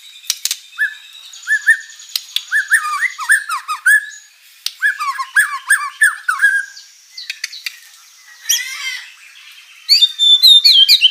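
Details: White-rumped shama song full of rich filler phrases, used to lure rival birds into answering; bursts of quick chirps and twisting whistles separated by short gaps, ending in high, scratchy rapid notes.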